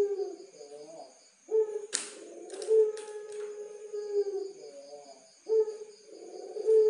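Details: Barbary dove of the pelung type, kept for song, recorded as a master song: low, drawn-out rolling coos in repeated phrases, with a burst of clattering noises midway and a faint steady high whine throughout.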